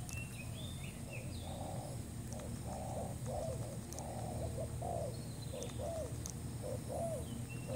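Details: Trapping-lure cooing of a new spotted dove: a run of muffled, rough coo notes in short repeated phrases, some ending in a falling slur, over continuous low rumble and a few faint high chirps from other birds.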